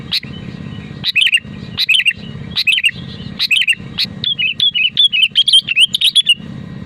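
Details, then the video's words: Sooty-headed bulbul in full, vigorous natural song, used to draw other bulbuls into singing: a slow series of bubbly whistled phrases roughly every second, speeding into a fast string of chirpy notes, with a low background hum. "BURUNG KUTILANG GACOR DENGAN SUARA ASLI AMPUH UNTUK PANTINGAN KUTILANG AGAR BUNYI"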